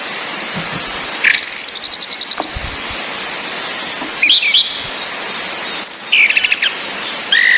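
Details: Female orange-headed thrush ngecis calls played to stir silent males into song: bursts of rapid buzzy chirp trains separated by pauses, one thin high descending whistle, and constant rain hiss beneath.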